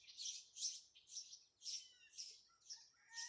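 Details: Red-headed woodpeckers in a tree, just arrived today, making loud noises: harsh, scratchy high calls repeated roughly twice a second, uneven in spacing, with faint lower whistled notes between them.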